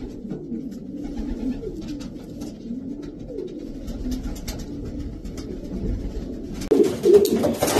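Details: Racing pigeons of imported European top strains, Davy Van Roy line, giving rolling low coos that rise and fall in repeated phrases, then a sudden loud rustle or flapping burst near the end.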